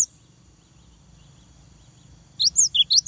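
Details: Cinereous tit, a young bird kept for song training, giving a short burst of high, rapid chirping notes near the end, sharp rising and falling slurs after a quiet stretch.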